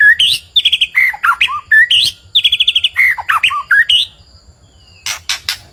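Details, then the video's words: White-rumped shama song meant to provoke a neighbour's bird: loud, varied phrases of rapid chattering trills and rising whistled notes with pauses between bursts, ending in a few harsh, broadband scratchy notes. "MASTERAN MURAI BATU BIKIN EMOSI BURUNG TETANGGA / 3 MENIT GACORR isian suara murai"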